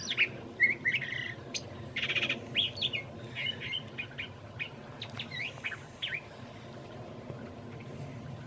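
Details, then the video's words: A curve-billed thrasher sings from among branches on a mild March evening in Santa Fe, New Mexico: quick varied whistled, chirpy and rough phrases with short pauses, a meadowlark singing behind, over a low steady rumble. "Curve-billed thrasher Evening Song"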